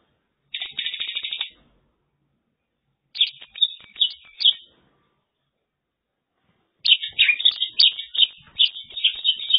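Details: Mongolian lark in China singing: bursts of rich, chattering, buzzy warbles, each lasting one to three seconds, separated by short silent pauses; no other sounds.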